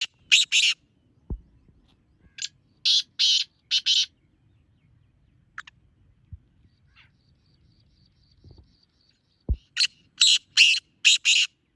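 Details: Black francolin calling, used to call in francolins: harsh, grating notes in clusters of two to four, separated by long silent gaps, with faint low rumbling between.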